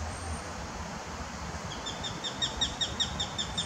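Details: Eurasian sparrowhawk chicks, 26 days old, at fledging on 24 June 2018, give thin, high, downslurred notes, about two or three a second, starting partway through over a steady low rumble of wind or distant traffic.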